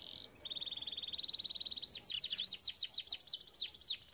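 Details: Canary training song: a steady rapid trill of even notes held for over a second, then a burst of quick high descending sweeps.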